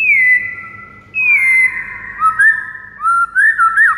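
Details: Morning white-rumped shama master song for teaching other birds: long falling whistles followed by several quick looping whistled notes, clear and loud above a faint low hum.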